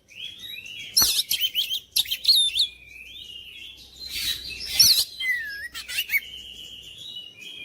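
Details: Oriental magpie-robin with varied melodic song: loud harsh bursts, looping whistled flourishes, and long gliding notes that drop and rise. Quiet pauses separate the phrases.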